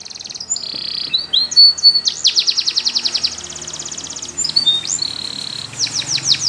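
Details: Spanish Timbrado canary delivering a powerful training song: varied chirps, a steady rapid rolling trill of evenly spaced pulses, and closing downward whistled sweeps over steady background noise.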